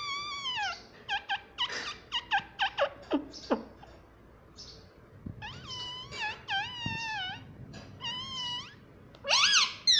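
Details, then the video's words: Talking parrot mimicking human words such as "mummy": a run of short, sharp voice-like syllables, then longer wavering, nasal, speech-like phrases with falling and rising tones, ending in a loud harsh burst. "मम्मी पापा बोलता तोता"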